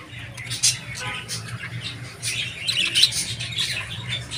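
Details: Indoor budgerigar giving soft twittering warbles and short squeaks, busier in the second half, with a low background hum and a faint murmur.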